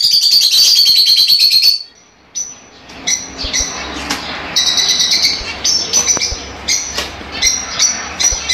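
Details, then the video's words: Fischer's lovebirds chattering to promote mating. A long, loud shrill chirping run comes first, then a brief silence, then steady high chirps about three per second against a low rumbling background. "تغريد وتحفيز لتزاوج عصافير الفيشر"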